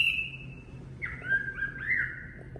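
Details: Chinese hwamei singing in a voice-training recording for caged birds: a softer, level whistle that breaks into sliding, warbled notes dipping and rising, quieter overall, with a faint low rumble underneath.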